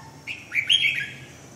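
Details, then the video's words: Red-whiskered bulbul giving a short warbled phrase of a few quick, liquid notes that rise and dip, lasting under a second against a quiet background. "Kênh về chim Chào mào"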